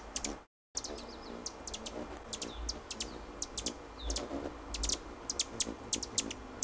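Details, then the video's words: Chirping of hummingbirds, birds said to be noisy and territorial: thin, very high, clipped chips scattered irregularly, some in quick pairs and clusters, with a brief dropout near the start. "Hummingbirds - chirping their song"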